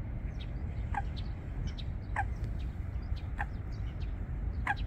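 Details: Nest-building Eurasian coot pair in the water plants of Wangsong Lake: four sharp, abrupt calls spread unevenly over five seconds, accompanied by faint high chirping of small birds and low rumbling noise.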